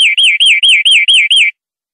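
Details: European greenfinch song for educating greenfinches: seven rapid, high notes, each a quick rising-and-falling slur, evenly spaced about a fifth of a second apart, with no other sounds.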